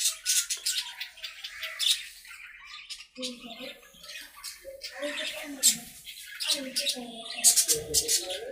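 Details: Budgerigars playing and talking in their aviary, with loud scratchy squawks and clicks mixed with low warbled murmurs, lively overlapping chatter throughout.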